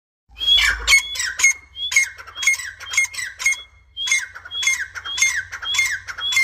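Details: Partridge calling steadily, harsh rasping squawks mixed with short high whistled notes, repeated about twice a second in quick uneven bursts, with a brief pause near the fourth second; a faint low hum underneath.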